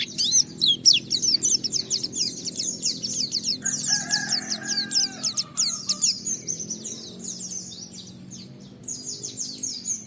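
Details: White-eye chattering song intended to set other white-eyes singing; busy high twittering throughout, with a lower drawn-out squawking sound near the middle and a steady low background hum.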